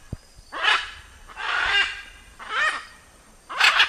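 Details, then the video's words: Four coarse, raspy macaw squawks, roughly one per second, each with a slightly falling tone. "CANTO DA ARARA - SOM DE ARARA CANTANDO"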